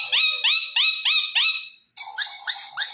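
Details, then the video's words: Talkative green ringneck parrot kept as a pet: five loud, rising, harmonic notes repeated about every third of a second, a brief gap, then three more rising nasal notes over a steady high tone. "Ringneck Funny Talking Parrots"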